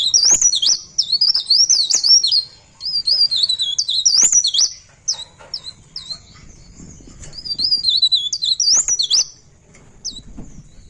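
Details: Pare pare bird in rolling song: fast, very high looping warble of twisting whistled notes in bursts of a few seconds, thinning to scattered short notes, with quiet gaps and faint low background noise.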